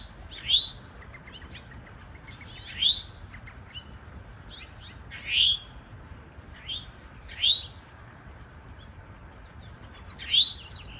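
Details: Male and female Eastern towhees calling in woodland during nesting-territory defence: six sharp rising chirps spaced roughly every two seconds, with faint twittering notes in the quiet intervals.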